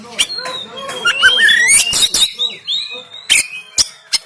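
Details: Oriental magpie-robin from Banten in harsh 'tembakan' song, phone-recorded to stimulate lazy caged birds: rising whistled slurs through the middle, flanked by loud isolated cracks near the end.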